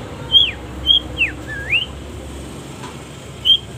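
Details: Training song of a Long-tailed shrike, full of pauses: clear high whistled notes, some falling and one long wavering slur, given singly with short gaps before a longer silence, over soft background hum.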